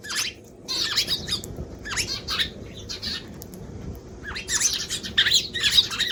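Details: Eurasian tree sparrow chattering with rapid, rasping chirps in dense groups, a brief quiet gap midway, then a busier, louder run of calls at the end; soft fluttering between calls.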